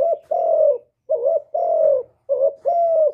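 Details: Spotted dove song of the hạp bổi voice type, covering calling, urging and cooing, recorded directly with no background noise: three pairs of a short dipping coo and a long, level-to-falling coo, close and loud.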